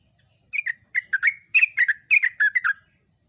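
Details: Yellow-vented bulbul in loud, long ropel-style song for training birds, with a fast run of bubbly, slightly falling chirps in tight pairs and triplets lasting over two seconds. Faint low hum behind.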